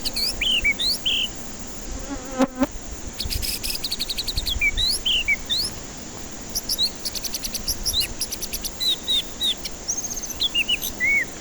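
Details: White-rumped shama song used as a lure for stressed birds that will not sing: varied clear whistled notes, some rising, some falling and slurred, in quick irregular phrases, over a steady high insect-like buzz and a brief rattle near the start.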